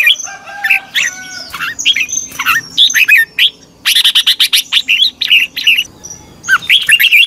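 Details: Red-whiskered bulbul singing in competition, used as a lure to train birds: a lively stream of loud, varied whistled phrases and quick rising notes, nearly continuous with short breaks.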